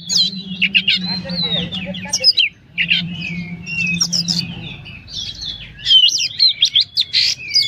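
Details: Busy 'gacor' song of a caged Oriental magpie-robin, a trophy bird in Inhu and Kuansing, Indonesia: bursts of varied whistles, sharp sweeps and chatter separated by brief pauses, with a steady low drone in the background.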